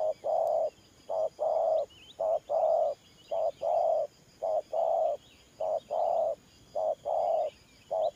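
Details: Spotted dove in 'thổ pha' cooing style, steadily repeating two-part coos, a quick short note then a fuller sustained one, about seven pairs in a row. Other small birds chirp faintly in the distance.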